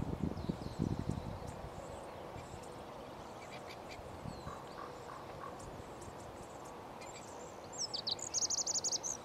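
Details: Spring morning song of a male Lazuli bunting, May 13, 2020: low thumping noise at first, a few faint mid-pitched notes, then a rapid string of high, bright chirps near the end.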